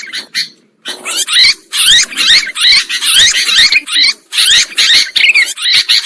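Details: Sooty-headed bulbul used as a trapping lure: after a quiet opening second, loud grating chatter bursts repeat steadily, with bright zigzag whistled phrases rising and falling through the scratchy calling.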